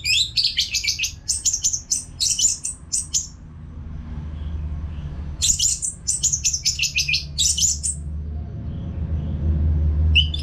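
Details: Orange-headed thrush singing without pause, used to train other caged birds. Two long runs of rapid, repeated high chirping phrases are separated by a short quiet spell, with a rising low rumble toward the end.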